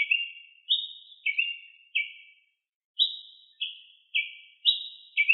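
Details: Ruby-crowned tanager singing in the wild: a series of high, clear, slightly descending whistled notes, each short and slurred, given about every half second with a brief pause midway.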